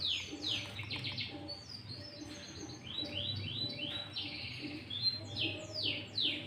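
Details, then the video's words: Loud sooty-headed bulbul song filled with green leafbird phrases, played to lure bulbuls and provoke rivals. Rapid, high, downward-slurred notes come in quick bursts of about two per second, with faint low rumbling behind. "Pancingan Burung Kutilang Gacor Full isian Cucok ijo"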